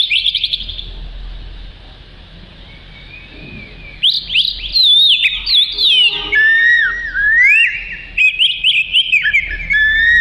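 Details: Oriental magpie-robin, a black-and-white songbird with a long tail; after a few seconds of quiet hiss with faint notes, loud whistled song begins, with rapid up-and-down slurred phrases and repeated sweeping notes.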